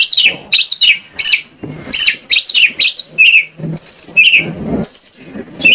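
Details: White-rumped shama song played as a lure to get shamas singing: repeated loud arching whistles, then high thin steady notes and lower buzzy phrases, delivered in brisk bursts.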